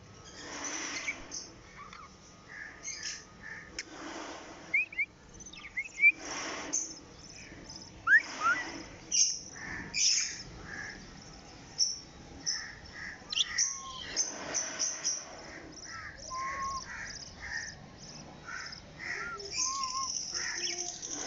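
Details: A small white (albino) pet budgerigar family chatters in quick, scratchy warbles with short whistled chirps and clicks.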